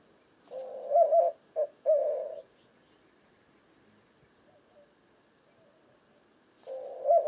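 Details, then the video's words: A white-winged dove gives one complete coo phrase of low, rhythmic hoots with short gaps. A long quiet pause follows, then the next phrase begins as the recording ends. "White-winged Dove Cooing Bird Sound"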